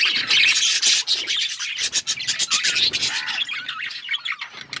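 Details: Pet budgies chattering in fast, raspy, buzzy notes, with quick scratchy repeated chirps and a few softer pauses near the end.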